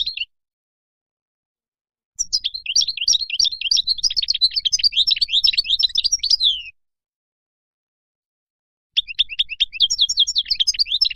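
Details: Wild European goldfinch song, played so young birds can learn it: a brief note, then a long rapid stream of high chattering twitters with buzzy slurred notes, a silence, and another tinkling burst.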